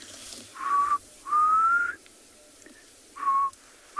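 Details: A Black Cuckoo, the first heard this year, gives slow, mournful whistled notes, the longer middle note rising slightly, at sunset on 12 November in the Tswalu Kalahari Reserve, South Africa, against a quiet background.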